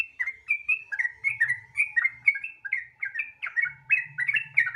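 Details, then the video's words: Lure recording of a sooty-headed bulbul singing fast 'gacor ropel' to set off other bulbuls: steady stream of clear, bouncing whistled notes, some rising, some falling, with a soft low hum underneath. "Pancingan Trucukan Gacor Ropel Santai Sangat Ampuh Bikin Trucukan Lain Cepat Bunyi Gacor Ropel"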